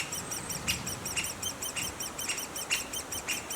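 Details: Shrill, rapidly repeated arched squeaks from a Dendrocopos major nest run without pause, with intermittent dull knocks and clicks breaking through the constant high chorus.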